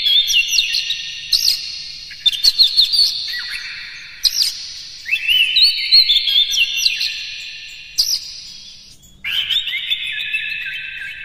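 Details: Loud, varied Oriental magpie-robin song, played to fire up other magpie-robins: rich run of whistled phrases, sliding notes and rapid chips in several bursts, with short breaks between phrases.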